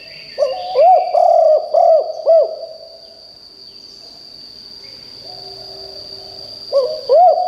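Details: Spotted dove used as a decoy, its loud call said to make wild birds in the forest call back: a few hoarse, arched cooing notes in quick bursts, a pause with a faint low hum, then cooing again over a steady high electronic tone.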